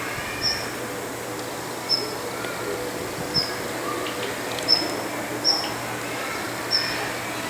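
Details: A lone female Daurian redstart perched on a roof in the morning gives six brief, sharp, high-pitched whistled calls at irregular intervals of roughly one to one and a half seconds, against quiet background hiss.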